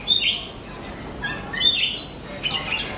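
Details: Oriental magpie-robin, a lure recording for encouraging caged birds to sing, giving three separate bursts of high whistles and buzzy chirps spaced roughly a second apart over quiet hiss.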